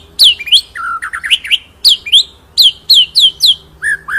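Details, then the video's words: Loud white-rumped shama training song, full rolling with shots: repeated bright whistles that drop sharply in pitch, mixed with lower gurgling phrases, delivered about three to four notes per second. "MASTERAN MURAI BATU FULL NGEROL NEMBAK SUPER EDAN!!"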